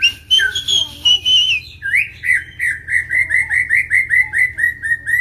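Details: Agitated white-rumped shama, provoked to fight and sing hard: a long sliding whistle, then a rapid run of about a dozen identical loud, slightly falling notes, each topped by a faint high overtone.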